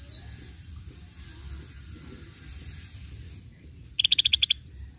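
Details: Lure recording of a Scaly-breasted bulbul (cucak bersisik): after three seconds of hiss and steady high-pitched background tone, one half-second burst of seven fast, sharp, evenly spaced high notes.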